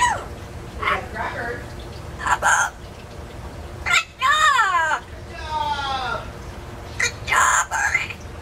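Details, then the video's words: Pet parrot living in an indoor free-flight aviary, placed in a cage for safety, talking: several short speech-like phrases with wavering, harmonic-rich tones, separated by brief pauses and a few clicks. "How about crackers and crows~~Marley sure can talk but he can't whistle yet!"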